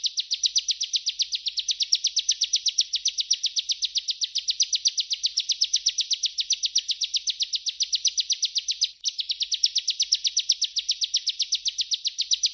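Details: Bar-winged prinia song used as a tutor recording for training other songbirds. Shrill, even chips repeat very fast, about four each second, in a long unbroken train with one brief gap.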